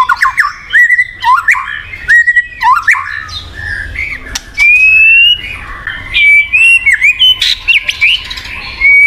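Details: White-rumped shama (murai batu) song intended to prompt a silent bird to sing: short whistled phrases with sweeping notes and chips, then longer steady whistles, with a faint low hum underneath.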